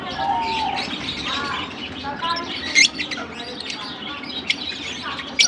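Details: High twittering from lovebirds in Larkana, with short whistled notes, scratchy chirps and a few piercing squeaks scattered irregularly, over a faint low hum.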